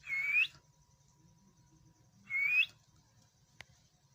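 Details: Pet parrot indoors giving two matching rising whistles about two seconds apart, each upslurred and bright, with a single sharp click near the end and a quiet room otherwise.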